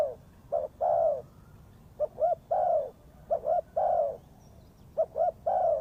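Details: Lure spotted dove for trapping gives its soft, low coo series: short double notes, then a longer slurred coo, the phrase repeated three times in close succession.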